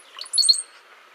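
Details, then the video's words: Brown-headed cowbird song, a brief couple of notes said to resemble water dropping: soft liquid gurgles rising quickly into two bright, very high-pitched whistled notes, all within under a second. "If you ever hear birds and you hear a sound that sounds like water dropping, you are hearing brown-headed cowbirds most likely. So let's take a quick listen to that."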